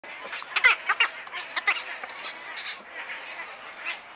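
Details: Wood stork chicks at Wakodahatchee Wetland, Florida, giving short harsh nasal begging notes in quick uneven bursts, loudest near the start, then fainter scattered calls.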